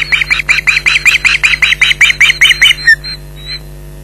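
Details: Nesting Ospreys at Loch Garten, Scotland, calling against a persistent intruder on a July 2011 morning. Around fourteen loud, shrill yelps in quick succession, then a few fainter thin notes as the calling dies away.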